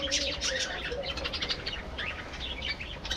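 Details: Dense chattering of a budgerigar breeding colony, many birds overlapping in a constant stream of high twittering and warbled chirps with no pauses.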